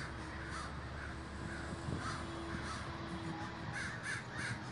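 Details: Communal gathering of crows in Davis, California, with scattered hoarse caws from many birds, a faint steady tone and low background rumble.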